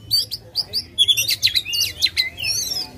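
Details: Oriental magpie-robin, aggressive and spreading its tail, singing vigorously to spur a reluctant male into song: bright sweet whistles and short chirps, then a dense burst of sharp rapid notes and a buzzy trill at the end.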